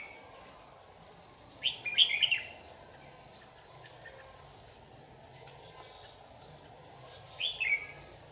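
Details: Red-whiskered bulbul, white-cheeked with a yellow gape, calling during a trapping session on 8 July 2019. Two short, bright, chattering warbled phrases sound about six seconds apart over a quiet, steady background hiss.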